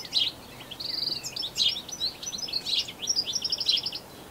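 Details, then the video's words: European goldfinch in New Zealand, filmed on a Canon SX60HS; loud, continuous twittering song of tinkling high chirps and fast jangling trills running without pause. "Goldfinch Song"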